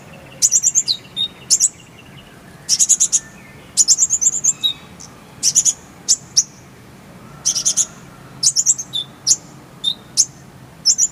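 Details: Konin, the Oriental white-eye, singing in a recording meant for tutoring caged songbirds: very high, thin, bright chirps in quick clustered bursts with short pauses between phrases, against a quiet low background hum.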